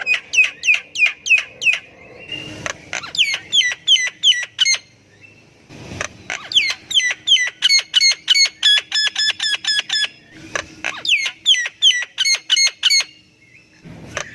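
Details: Lively Javan myna singing, played to coax quiet birds into song: long runs of rapid, evenly spaced sharp chirps, several per second, in three bursts separated by short pauses, bright and high-pitched throughout.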